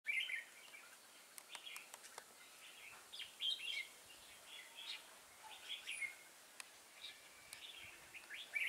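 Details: Decoy red-whiskered bulbul (chào mào mồi) singing: short, bright warbled phrases and chirps, repeated every second or so over steady background hiss, with a few sharp clicks.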